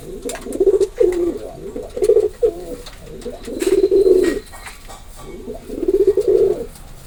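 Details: Pigeon coos indoors in four or five bursts, each a low rolling, throaty warble lasting about half a second to a second, separated by short pauses, with faint clicks between.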